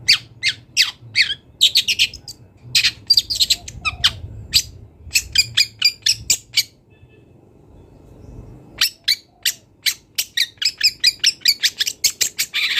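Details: Long-tailed shrike singing in the wild, full varied repertoire: quick series of sharp high chips and harsh notes, a silent gap mid-clip, then an even run of clicking chips about three per second.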